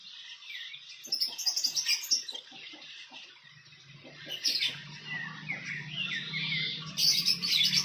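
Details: Fantail at its nest in the wild: busy high chirps and squeaky twittering notes, some rising and falling in quick runs, over a faint low hum.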